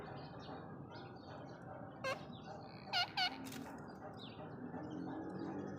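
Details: Female rose-ringed parakeet giving a meeting call to a male: three short, nasal, rich-toned calls, one alone and then a quick pair, standing above a steady background hiss and faint indoor noise.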